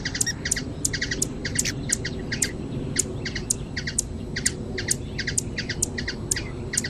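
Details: High, tinny chip notes from a hummingbird in Brazilian nature, delivered in tight pairs and triplets at an even, rapid pace; a soft low rumble sits underneath.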